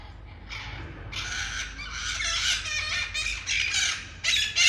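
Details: Red-masked parakeets landing outside a balcony in Ecuador, a noisy group visiting every few days: harsh, grating squawks in overlapping bursts, rising in intensity toward the end.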